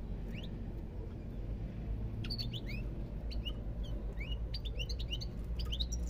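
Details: European goldfinch singing: short, bright rising chirps sweeping upward, given in loose groups and repeated through the stretch, over a steady low hum in the background.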